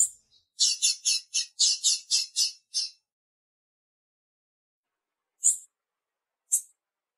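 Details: Female blue-black grassquit (tiziu) calling to excite the male: a fast series of about nine high, sharp chirps at roughly four per second, followed after a pause by two isolated high chirps, in an otherwise quiet setting.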